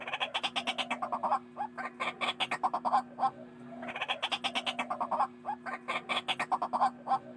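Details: Lure call of a white-breasted waterhen for trapping: runs of rough, grating croaks given in quick succession, two long bursts separated by a brief lull, with a constant low hum underneath.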